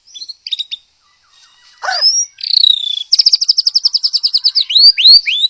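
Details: White-rumped shama, described as a wild forest bird, played to get other shamas singing; sparse high notes, then a descending slurred whistle, a fast even trill of rapid pulses, and rising sweeping whistles at the end.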